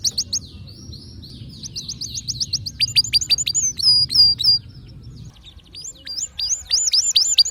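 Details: Canary song of distinctive notes: rapid chip series, sharp downward strokes and looping whistled notes, with a low background hum in the first part.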